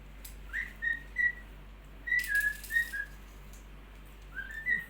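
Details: A cockatiel sings a happy string of clear, short whistled notes near two kilohertz in a small room.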